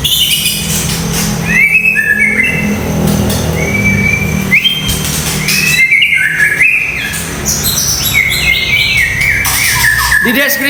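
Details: Caged white-rumped shama with a 25 cm tail, singing its full repertoire of rough 'tembakan kasar' phrases: loud whistled notes and sweeping slurs, some rising and some falling, over heavy broadband noise and a low rumble.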